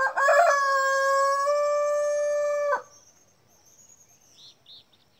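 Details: Dawn crow of a Jersey Giant rooster, with other birds waking nearby. It opens with a few stepped notes, then a loud, rich, steady note is held for over two seconds and cut off sharply. Thin high chirps from small birds come after.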